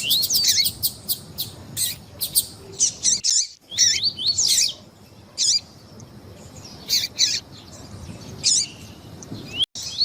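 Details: Double-collared seedeater song accompanied by female calls to stir up the male: rapid sharp chips and short rising whistled notes, in uneven bursts with brief pauses.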